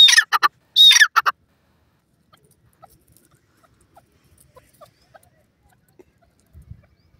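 A francolin gives two loud, harsh, grating bursts within the first second, followed by near silence with faint ticks and a low thump.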